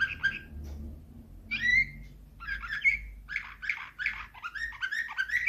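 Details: Canary singing Slavujar nightingale-style phrases: whistled notes and buzzy warbles in separated bursts, growing into a steady rapid chatter, over a low background hum.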